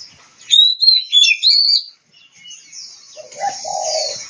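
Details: Oriental magpie-robin from Kebumen, Central Java, Indonesia, singing a burst of bright, high whistled notes with quick slurred twists over about a second and a half, then a pause followed by softer, lower warbled notes.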